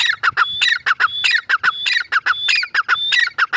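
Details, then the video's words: Close, loud grey francolin calls: chattering harsh syllables with a drawn-out high whistle in each phrase, repeated rhythmically throughout, with a faint low hum beneath. "Teetar voice | gray francolin teetar sound | teetar ki boli | mada teetar ki awaz"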